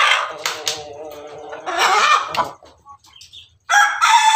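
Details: Red Ayam Ketawa (laughing chicken) rooster on top of the coop, crowing melodiously in long, loud, buzzy harmonic phrases that break into choppy laugh-like pieces, a brief lull with small chirps, then another strong burst.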